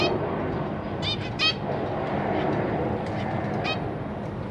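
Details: Captive zebra finch family with newborn babies being fed by the parents, March 2023: a few quick nasal calls in a pair near the start and one later, under heavy steady background noise.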